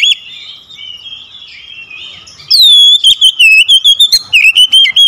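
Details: Oriental magpie-robin used as a lure bird to prompt a quiet one into song: soft warbling twitter, then loud clear whistled phrases that slide down and waver, broken into rapid repeated notes.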